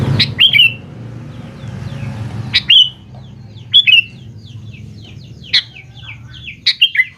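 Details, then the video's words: Sooty-headed bulbul, used as a lure to make young bulbuls answer: loud, bubbly whistled phrases with quick up-and-down notes, repeated roughly every one to two seconds, over softer chirping from other birds in the background. "BURUNG KUTILANG GACOR | dijamin 100% nyaut GACOR kutilang muda anda"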